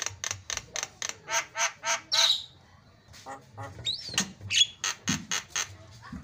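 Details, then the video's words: Javan myna song, recorded to train other mynas: a fast, steady series of about nine harsh rasping notes, a brief pause, then scattered clicks, sharp squeaks and a short whistle. "KICAUAN JALAK SUPER MANTAP"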